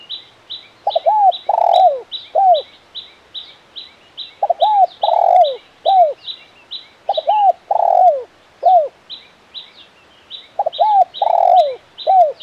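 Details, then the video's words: Spotted dove (tekukur) in lively voice, a "KUK 1 mersik" style cooer, giving repeated phrases of mellow falling coos, grouped in bursts about every three seconds, with a steady high ticking sound running throughout. "Suara Burung Tekukur Gacor KUK 1 Mersik"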